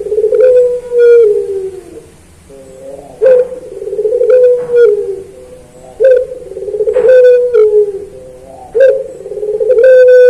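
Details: Puter pelung turtle dove in a training recording for songbirds: steady series of deep coos about every three seconds, each beginning abruptly and stretching into a long droning tone, with scattered ticking sounds.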